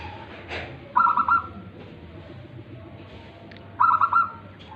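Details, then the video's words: Tame local perkutut (zebra dove) in song: two quick rolling phrases of soft stuttered cooing notes nearly three seconds apart, preceded by a sharp click, over low steady background noise. "perkutut lokal manggung jinak"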